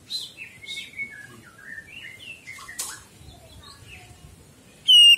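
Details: Greater green leafbird song as a master recording for training pet birds: a rambling run of whistled, slurred notes shifting up and down in pitch, ending with a sudden loud electronic-sounding tone.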